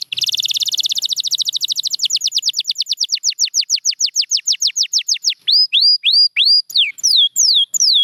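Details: Champion canary in song, Gloster canary among those featured: a very fast rolling trill that gradually slows into separate falling notes, then loud curved whistles repeated about twice a second.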